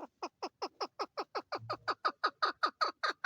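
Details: A female chukar partridge, the national bird of Pakistan, gives a rapid run of harsh, clucking chuk notes, about three per second, growing louder and hoarser toward the end.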